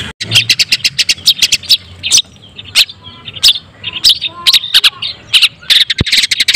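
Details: Kept long-tailed shrike of the white-breasted type, singing a lure meant to excite other shrikes. Rapid sharp chirps are followed by a short gap, then irregular squeaky notes and thin whistles.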